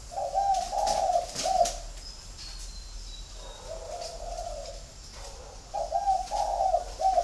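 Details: A spotted dove flock kept in Ba Vì, Hanoi, Vietnam. A three-part mellow coo is followed by a fainter, longer coo and then another rolling three-note phrase. Faint high twitters and a brief rustle are also heard.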